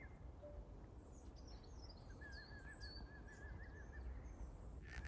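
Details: One of two red kites flying around a local park gives a thin, quavering whistle that wavers up and down for about two seconds, over a steady low rumble of wind or distant traffic.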